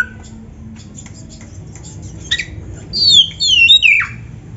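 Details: Oriental magpie-robin song for training caged birds: quiet start with faint chips, then a short bright burst of high, tumbling whistled slurs near the end over low hum.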